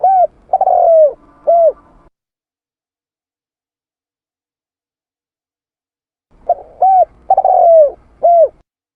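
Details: A Spotted Dove, in a lure-call recording, gives two phrases of three soft, hollow, low coos, the middle one longer and falling, separated by a silent pause of about four seconds.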